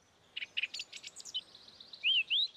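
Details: A thrush, singing in delicate diminuendos, gives a quick flurry of high, twittering notes, then two loud, clear whistled notes that rise and fall, about a third of a second apart.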